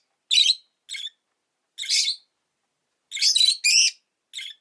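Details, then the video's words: Rosy-faced lovebird giving six short, harsh, buzzy chirps in separate bursts, some single and some paired, spaced irregularly over about four seconds against a quiet background. "Lovebird Chirping Sounds"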